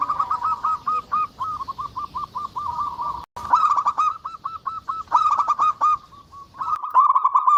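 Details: Local zebra dove singing prolifically, used to coax reluctant doves into calling: a long run of short, rhythmic mid-pitched coos in a steady series, broken by a brief gap, then resuming with louder, harsher-edged notes.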